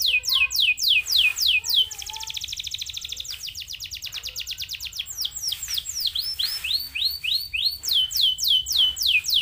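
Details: Stimulating canary song for other canaries: rapid downward-sweeping trill notes, then a long dense buzzy roll, followed by more rolling, slurred trills repeated several times a second.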